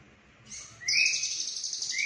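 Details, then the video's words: Konslet-style lovebird song with full fill-ins, recorded at Cililin; a quiet start, then a harsh, rapid high-pitched chatter over a rising whistle that runs to the end. "Lovebird Konslet Full Isian CIlilin"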